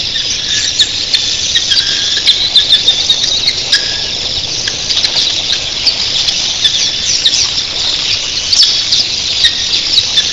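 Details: Red-billed queleas by the thousands at dawn, a constant shrill twittering din with faint lower whistled notes and many sharp clicking ticks, wing noise likened to surf crashing on a beach.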